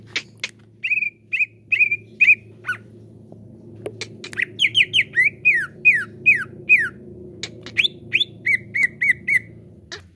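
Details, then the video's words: Song of a green leafbird (cucak ijo), played as a lure to make caged birds sing fully: spaced level whistles, then a fast series of downward-sweeping whistled notes and even repeated notes over a low hum. "JADIKAN CUCAK IJO ANDA CEPAT NGEPLONG PANCING IJO INI"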